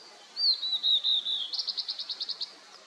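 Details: High, sweet whistled notes from a Blue-and-white flycatcher in fog-covered mountains after rain, followed by a rapid run of about ten buzzy, evenly spaced notes closing the phrase.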